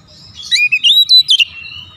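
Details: Oriental magpie-robin singing a rousing lure phrase: a quick run of bright, sharply varied chirps and twisted whistles lasting about a second.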